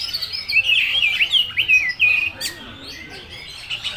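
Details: Oriental magpie-robin giving "full materi" song: a burst of fast, wavering whistled notes for about two seconds, then a sharp click and quieter twitters.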